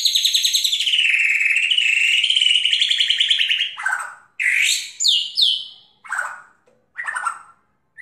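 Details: White-rumped shama in fighting style, opening with a long rapid metallic trill lasting nearly four seconds, then separate loud slurred whistles and sharp upswept notes with short gaps between them.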